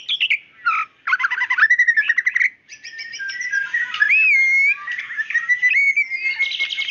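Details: Female white-rumped shama calling the male; a choppy trill and rattling phrases give way to long, pure rising whistles and a sustained whistled note.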